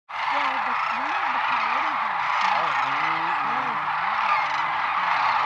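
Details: Wintering sandhill cranes at Whitewater Draw, southern Arizona, on 11 November 2017, a flock calling together in many overlapping rolling, rising and falling notes over a constant loud wash of background noise.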